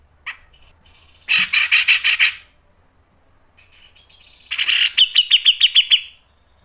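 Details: A grey-cheeked bulbul, in tutor song for cage birds, gives a short note, a burst of rapid harsh chatter, a pause, then a noisy blast followed by six crisp evenly repeated notes.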